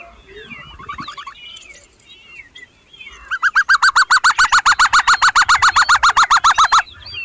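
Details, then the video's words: Hungry chicks calling as their mother feeds them: soft scattered chirps and a brief trill, then a loud, rapid, very regular series of sharp piercing notes lasting over three seconds before stopping abruptly. "Baby bird was hungry | mother feeding them"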